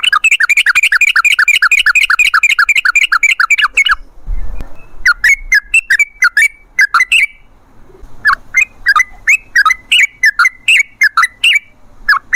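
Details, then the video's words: Sooty-headed bulbul lure song in the forest 'ropel' style, meant to set other bulbuls singing: long strings of fast, bubbling, whistled notes, a brief pause with a soft thump, then more rolling phrases. "Suara trucukan gacor ropel ngalas buat pancingan trucukan agar bunyi"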